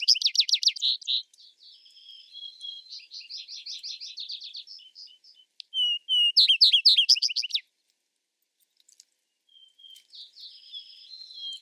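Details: Vesper sparrow singing repeatedly. Fast, high slurred trills alternate with softer, buzzy chattering runs, and level whistled notes introduce each new song. Three songs are heard in close succession.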